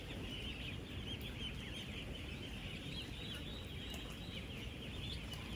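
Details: Ten-day-old ducklings, about 16,000 of them, living together on a duck farm; an unbroken wall of shrill overlapping peeps fills the scene, backed by constant low-pitched rumbling noise from the building.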